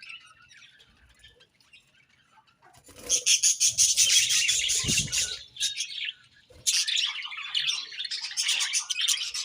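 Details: Pet budgerigars chirping in the morning: a quiet start, then a dense burst of high, buzzy chattering warble with rapid overlapping notes, a brief pause, and another flurry of busy twittering with a soft low thud.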